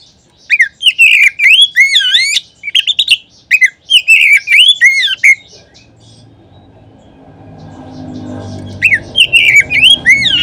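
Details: Oriental magpie-robin song used as a lure to make other magpie-robins sing. Loud whistled phrases with quick rising and falling slurs come in bursts over the first five seconds. A low hum follows, then the whistling returns near the end.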